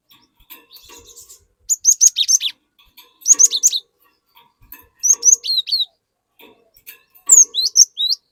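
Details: Cinereous tit in full song, played as a lure to coax a young untrained tit into singing: four separate bursts of rapid, high, slurred whistles divided by short silences.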